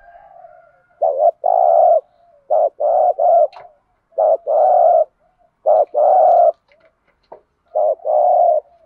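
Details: Urging 'thúc gù' coos of a spotted dove, played to spur other doves to call: four or five paired phrases, a short clipped note leading into a longer steady coo, repeating about every one and a half seconds.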